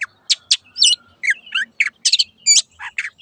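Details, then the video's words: Long-tailed shrike singing, used as a master recording to train caged birds: a fast, jumbled run of chirps, buzzy notes and slurred whistles packed closely together. "MASTERAN BURUNG CENDET SANGAT COCOK BUAT CENDET MACET BUNYI"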